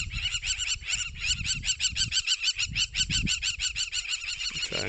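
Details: Crowned Lapwing harassing a passing pride of lions near the Sand River, possibly with a nest nearby: loud, shrill, rapid repeated calls, about three per second, in an agitated mobbing racket; low rumbling background noise.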